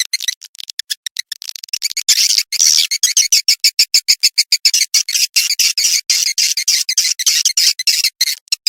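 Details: Swiftlet calling sound played to attract swiftlets: dense, high, rapid chirps in quick trains, about three per second, loud and clean with no background noise.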